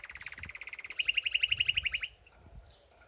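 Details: Canary at a birdbath singing a fast, evenly pulsed trill of about four notes a second. The trill jumps to a louder, clearer tour partway through, then stops abruptly, leaving faint low rustling.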